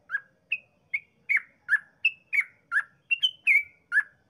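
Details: Bulbul 'ropel' song for luring others into song: clear chirped notes at a brisk pace, swinging between a lower slurred note and a higher clipped one, background silent.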